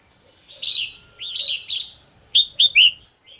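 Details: Morning song of a caged red-whiskered bulbul: three warbled, wavering phrases, then three loud sharp whistles in quick succession, the last sliding downward, ending with a faint note.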